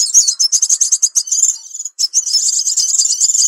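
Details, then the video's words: Crimson sunbird, heard as a lure call for attracting birds: a quick series of sharp high chips that speeds into a steady buzzy twitter, breaks for a moment, then resumes as a continuous high trill. "Suara Pikat Burung Sepah Raja"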